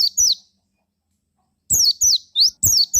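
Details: ['Javan white-eye singing as a lure for other white-eyes: a short falling chirp, a silence of over a second, then rapid high twitter of down-slurred and upswept notes.']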